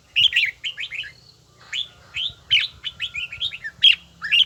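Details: Red-whiskered bulbul practising its bell-like voice: sharp whistled notes slurring downward in rapid sets, with a quiet pause mid-clip, then more ringing, evenly paced notes, and a faint low hum behind.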